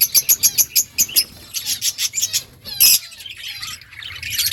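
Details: Budgies in an outdoor colony: a quick series of evenly spaced sharp chirps, then warbled chatter, one loud harsh squawk, and softer chirping after.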